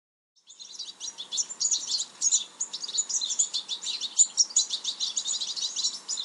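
European goldfinch gives a fast, continuous stream of bright, tinkling twitters and liquid chirps, high-pitched and jangling for several seconds without pause.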